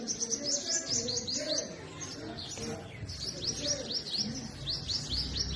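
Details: Purple sunbird chirping and singing among forest trees in spring, north-west Pakistan, pouring out long rapid strings of thin, high upward-curving notes, with softer low sounds beneath.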